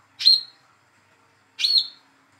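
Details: Hand-reared young speckled olive-backed sunbird, calling to prompt a silent bird to sing: two high sharp chirps about one and a half seconds apart, each ending in a short level whistle.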